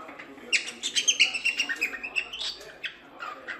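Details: Cockatiel song played to teach chicks to sing: a rapid run of chattering, warbled notes, about nearly three per second, with a soft background hiss.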